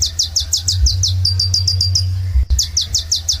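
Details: Sunbird in lively song: fast run of high, clipped, downward-sweeping notes, several per half second, briefly merging into a level high trill, then resuming the rapid notes; constant low droning hum underneath.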